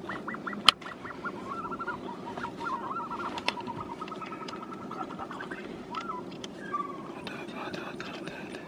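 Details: Caspian snowcock heard at a distance in a long series of soft whistled notes, with a few sharp clicks and knocks and a broad background hiss.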